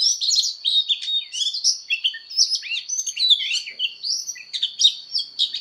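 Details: Oriental magpie-robin singing its fighting song during voice training: varied, fast warbled whistles and downward-swooping notes in a continuous stream, with an unbroken high whine in the background.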